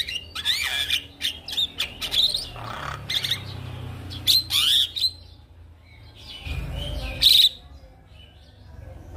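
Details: Javan myna singing to prompt mynas that have stopped singing: shrill high whistled notes and rasping bursts in uneven phrases, with gaps of quiet between.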